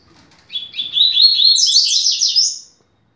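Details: Double-collared seedeater, 'rápido de bico' style, singing a song meant for training young birds: one long phrase of fast, rasping notes climbing gradually into a bright, high, jangling finish.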